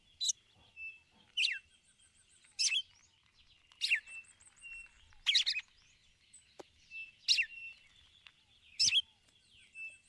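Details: Calling to the male, a female red-cowled cardinal repeats the ticulau: bright, steeply dropping chirps about every 1.3 seconds for ten seconds, with short level whistles in the gaps.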